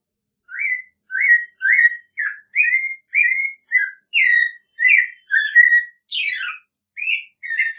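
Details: American robin singing a string of short whistled phrases near one pitch, about one every half second, with a harmonic overtone and a fast falling sweep late in the sequence; background otherwise silent.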